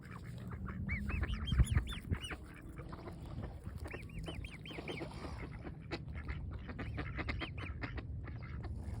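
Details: Young swan feeding on fresh grass in sunshine: bursts of thin, arching peeps come in quick runs of four or five, separated by pauses, with scattered clicks and a constant low background hum.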